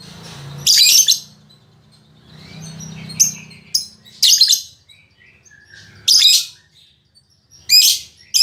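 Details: Fighter-spirited female lovebird kept as a pet, singing eagerly: scattered harsh, screechy chirps separated by gaps of one to two seconds over a low background hum.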